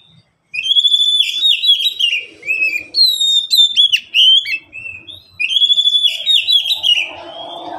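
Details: Pet Oriental magpie-robin kept in one of three cages, the birds calling back and forth. Rich, continuous song of ringing whistles, sharp upward and downward slurs and fast warbled runs. The phrases are repeated with brief gaps, and faint rustling is heard underneath.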